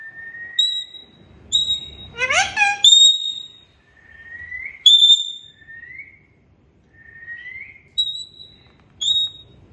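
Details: Parrot kept as a pet, saying "mian mithu": short steady whistles and rising whistled glides mix with one rough, buzzy, voice-like burst, the phrases coming about every second or two.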